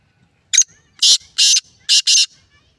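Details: Black francolin, recorded on 20 February 2024 in Layyah district, gives a harsh grating call of five rasping bursts. A short sharp note comes first, then two longer scratchy notes, then a quick final pair. The background is quiet.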